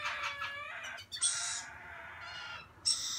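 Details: Gouldian finch recorded on 16 November 2017: a nasal, harmonic call note held for most of a second, then a few breathy, hissing bursts with fainter tonal notes between them.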